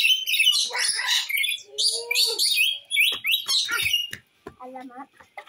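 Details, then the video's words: Rainbow lorikeet used as a lure for an escaped lorikeet, giving harsh, raspy screeching and chattering squawks in quick bursts, fading to softer chatter near the end. "Suara burung nuri pelangi gacor untuk pancingan burung nuri yang lepas"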